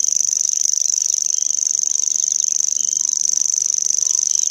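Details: Unbroken high-pitched reeling from a common grasshopper warbler, a fast buzzy trill at constant pitch and volume, sounding much like a grasshopper, with only faint background noise.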